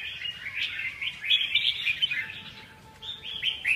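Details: Red-whiskered bulbul singing quick bright chirps and rising slurred notes in a near-continuous stream, a short dip in loudness near the end before a last loud phrase.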